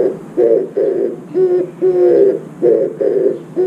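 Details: Oriental turtle dove singing at a window feeder: deep, rough coos in paired pulses with a drawn-out middle phrase, repeated closely over a few seconds.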